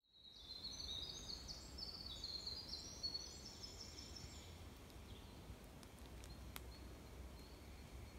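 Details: A male Winter Wren sings on an early spring morning in Maine: a high, rapid, tumbling cascade of trills and twitters for about three seconds, over a low steady background rumble.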